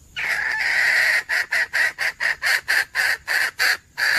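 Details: A wild female red junglefowl calls for a male on 17/2/2021, opening with a sustained harsh, buzzy note and running into a steady train of short rasping syllables, about four per second.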